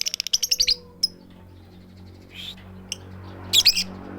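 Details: Female lovebird calling the male with the 'tik tik keyok' call, without chattering: a rapid series of sharp high ticks, then isolated short shrill bursts, over a low steady hum.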